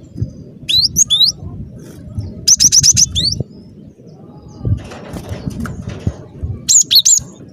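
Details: Cinereous tit singing briskly, recorded as a lure for trapping: scattered phrases of high whistled notes, including a rapid even run of clipped pips, amid rustling and low background rumble.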